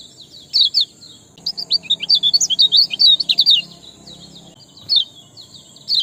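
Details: Sparrow singing, used as a lure to get reluctant birds singing: dense runs of sharp, high chirps in quick succession for about three seconds, then a few scattered single chirps over a steady high hiss.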